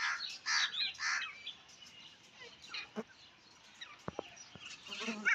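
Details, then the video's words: Female grey francolin (teetar) gives two harsh, grating bursts in quick succession, then goes quiet; a few sharp clicks and faint background noise follow. "Teetar ki awaz | teetar sound | madi teetar ki awaz | gray francolin female teetarsound"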